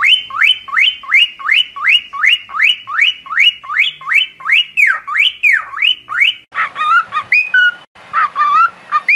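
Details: Cockatiel whistling for song training: a fast run of rising-then-falling whistled notes, about three per second, then a burst of warbled, broken whistles and chatter.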